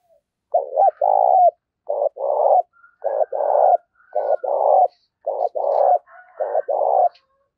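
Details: Decoy spotted dove giving its fighting call in a steady series, about every 1.2 seconds. Each phrase is a quick double note and a drawn-out husky coo. Faint thin whistles from another bird are in the background.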